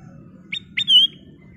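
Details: Sooty-headed bulbul (kutilang emas) in lively, clear full song: two short rising whistled notes followed by a longer, pure, slightly dipping whistle, all high-pitched, over a faint low hum.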